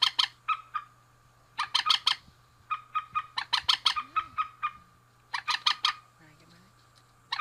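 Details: Harsh, clucking note series from a male and female rail, in clusters of three to six separated by short pauses, some louder emphatic runs, over a constant thin tone and hum.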